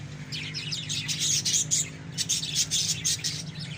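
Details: Pet lovebirds chattering nonstop: rapid, scratchy high chirps and thin squeaks overlapping throughout, backed by a low steady hum.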